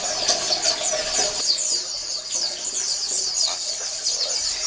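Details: Oriental white-eye colony sound for encouraging reluctant males to sing: overlapping high, quick descending chirps repeated in fast bursts by several birds, clearer after a brief dip midway.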